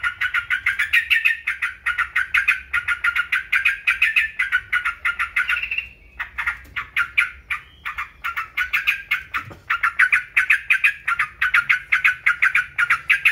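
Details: Long, lively yellow-vented bulbul chatter of repeated bright notes, close to three per second, with a brief lull midway before picking up again. Used as a tutor and trigger to rouse caged birds into song.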